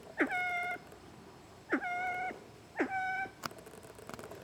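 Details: Siamese fireback, said not to crow like a chicken, calling three times in quick succession. Each call is an abrupt rising onset into a level, harmonic tone that holds about half a second. A sharp click and faint rustling follow.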